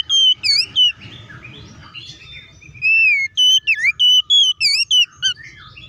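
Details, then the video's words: Oriental magpie-robin singing hard in fighting style to agitate other magpie-robins. Soft scratchy twitters give way to a long falling whistle and a fast string of loud, ringing whistles and looping notes. "KACER GACOR NGEPLONG TARUNG KONSLET BUKA PARU❗PALING AMPUH BUAT PANCINGAN KACER AGAR CEPAT EMOSI!"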